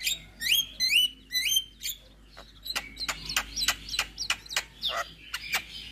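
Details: Javan myna (jalak kebo) singing: several rising whistled notes, then a long series of sharp clicking chacks and harsh chattering notes of varying loudness.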